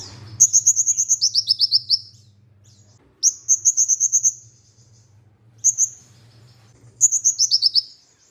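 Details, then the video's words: Olive-backed sunbird song, a recording used as masteran to stimulate other sunbirds to sing, in Indonesian songbird keeping: high, rapid descending trills of about a dozen sharp notes, repeated in bursts separated by pauses, over a faint low hum. "MASTERAN merangsang KOLIBRI NINJA UNTUK PANCINGAN KONIN"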